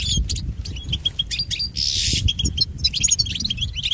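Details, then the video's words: European goldfinch song used for training pet goldfinches: chirpy twittering phrases broken by a harsh nasal buzz lasting about half a second, then more quick liquid notes. "Listen to Goldfinch's most famous motivations for training and education"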